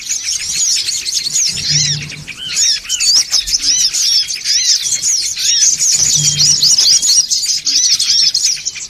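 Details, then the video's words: Songon birds chattering loudly as a lure, a jumble of quick high squeaks, zigzag twitters and arched notes layered densely, with short lulls and a faint low hum. "SUARA PIKAT SONGON OTONG (RIBUT)"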